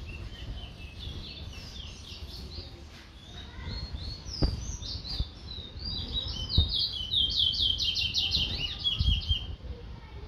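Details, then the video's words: Chestnut-bellied seed finch (towa towa) from Guyana singing: quick runs of high warbled, sliding notes, with a bright rapid trill burst near the end, over low rumbling background noise and a few clicks. "towa towa bird"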